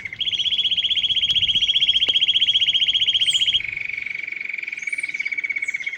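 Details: Canary song that reportedly attracted many wild canaries, goldfinches and other birds: a fast, regular high trill of about three seconds shifts down to a steadier lower roll, with faint chirps from other birds.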